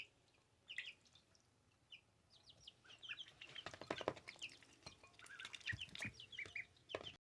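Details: Baby ducklings, two weeks old and kept as pets, peeping in high, brief, sharp notes that come in quick irregular bursts over rustling and clicking handling noises.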